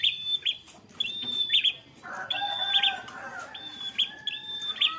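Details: Bar-winged prinia (prenjak), a fighter bird, sings a lilting, steady ngalun-style song: sharp chirps joined to flat high whistled notes, repeated about twice a second, with a lower warbling bird briefly heard midway.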